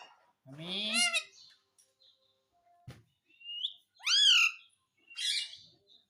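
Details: Pet parrot calling "mami" to ask for roti: a few separate loud, voice-like words with rising then falling tone, each about half a second long, with quiet pauses between them.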